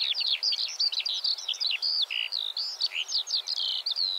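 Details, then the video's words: A Eurasian skylark pours out its trilling territorial song, a continuous, rapid stream of high chirps, trills and slurred whistles without pause, over faint background hiss. "Vogelstimmen: Die Feldlerche - Skylark - Alauda arvensis"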